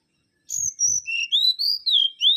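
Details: Mangrove whistler, called kancilan bakau, giving a loud clear whistled song: a high descending note followed by a run of rising and falling slurred whistles, each phrase about a quarter second, over near silence.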